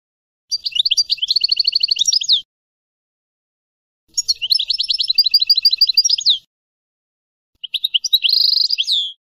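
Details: European goldfinch delivering three separate phrases of quick, bright twittering with rapid repeated chirps and a buzzy trill, each phrase about two seconds long with clean pauses between.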